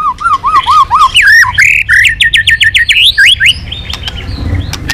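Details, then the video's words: White-rumped shama roused into intense, varied song while beating its tail: a run of rolling wavy whistles, then a fast series of rising slurred notes about four per second, fading into softer scattered chirps. "Chòe Lửa kéo dây yến đảo giọng đập đuôi liên tục. kích Chòe Lửa hót căng"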